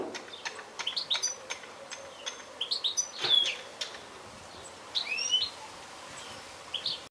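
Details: Goldfinch giving scattered high, twangy chirps and fluid rising notes in loose groups, separated by short quiet gaps, against a soft, steady background.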